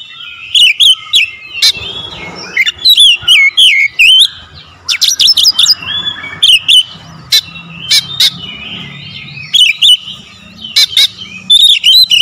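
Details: Magpie-robin singing long, varied phrases: sharp clicks, sweeping whistles and twisting warbled notes in rapid clusters, a steady flow of loud song with short gaps.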